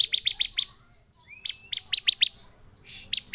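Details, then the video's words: Bar-winged prinia singing agitatedly to draw other prinias into song: quick series of sharp high ticks, a brief thin rising whistle, then further spaced ticking notes and a soft rushing hiss. "Burung ciblek penuh EMOSI DAN GACOR efektif memancing ciblek lain cepat bunyi dan emosi"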